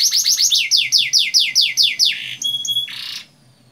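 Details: Canary song used as a lure to get young canaries singing quickly: long rolling trills of rapid descending sweeps, about eight notes in a row, then a few sharp high whistled notes and a brief buzzy burst.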